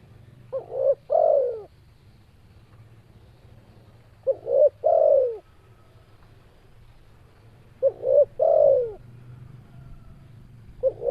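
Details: Spotted dove (tekukur) repeating its three-part coo about every three and a half seconds, four phrases of a short note, a middle coo and a longer falling coo, with low hum behind.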